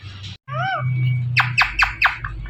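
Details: Talking rose-ringed (Indian ringneck) parrot saying "Mithu": a short voiced, speech-like phrase with smooth rising and falling tones, followed by four quick harsh squawky strokes and a low background hum.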